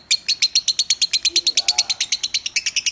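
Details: Lovebird training recording with a quick string of clipped, high, sharp chirps, about eight a second, evenly spaced. A soft low whistle sounds faintly in the middle.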